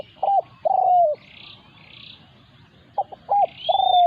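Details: Wild resident spotted dove confronting a decoy bird during trapping: two cooing phrases, short notes followed by a sustained coo that slides gently downward, with quiet chirps of other birds between them.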